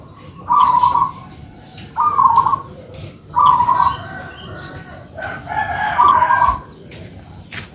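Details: Two local zebra doves kept for manggung singing exchange burbling coos about every one and a half seconds, a harsher crowing fowl voice mixing into the last phrase.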